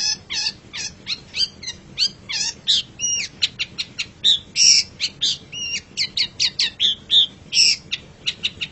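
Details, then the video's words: Long-tailed shrike (pentet cendet) in full masteran song: a dense, rapid stream of varied high chips, clicks and short whistles, several notes per second with little pause, like a mimicking medley. "Masteran Suara Pentet Cendet"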